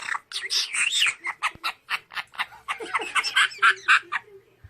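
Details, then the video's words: A parrot laughing, a rapid series of harsh, broadband squawking bursts, about four per second, uneven and chattering, in a quiet indoor setting. "the sound of a parrot laughing 앵무새 웃음소리"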